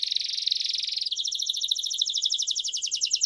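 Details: Timbrado canary song as a lesson for young birds: a smooth, full rolling trill followed by a faster, bouncing run of separate bubbling notes, steady in pitch.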